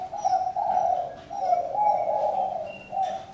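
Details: Spotted dove giving low, soft, throaty coos in two long drawn phrases and a short final note, with faint high thin whistles from other birds behind.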